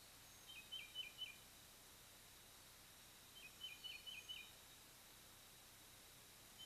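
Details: Two groups of faint, high, thin chirping notes in quick twittering runs from an adult bald eagle pair visiting their nest, 3-10-23, after the eaglets fledged, atop a loblolly pine over 100 feet up by Kincaid Lake, Kisatchie National Forest, Louisiana.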